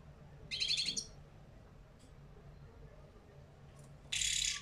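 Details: Caged European goldfinch of the small parva form, a song with 'betbeta' and 'setseta' phrases played to teach other caged birds; two short bursts of buzzy, tinkling high notes about three seconds apart over a low steady hum.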